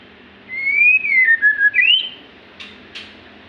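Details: Magpie-robin delivering a single long whistled phrase that rises, dips in wavering notes, then flicks upward, followed by two short scratchy ticks.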